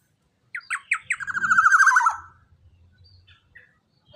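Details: Young Black-naped Oriole with a large body and loud voice, its recording played to train captive birds to sing, gives a few rising notes and then a long, buzzy, nasal descending phrase, followed by faint soft sounds.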